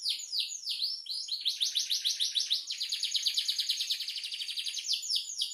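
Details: Canary in full song: a few swooping whistles lead into a fast, rolling trill of high repeated notes lasting about four seconds, closing with looping sweeps, clean and continuous.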